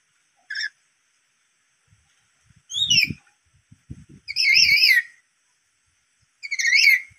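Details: Black-capped lory, stirred up by a lure call, giving loud, shrill, wavering screeches, a short one followed by three longer trilling calls, with low thumps and knocks between.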